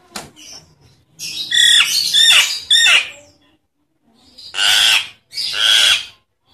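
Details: Calls of a Nias hill myna used to stimulate silent mynas to sing. A short sharp note, then a long, loud, harsh rasping squawk, and after a pause two more drawn-out, hoarse screeches.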